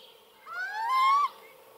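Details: In Hungary's Hortobágy National Park, 2015, a close little owl utters one loud, rich call that swells and rises steadily in pitch for under a second before stopping abruptly, over a quiet background.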